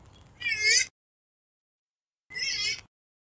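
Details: Purple swamphen call used as a lure for bird hunting: two loud nasal, wavering wails about half a second each, separated by silence, with a faint rustle before the first.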